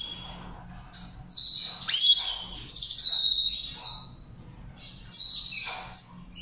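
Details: Sparser goldfinch training song in Saira char chari style: a couple of bright rising chirps, thin sustained high tones and a later twittering burst, with faint low background noise.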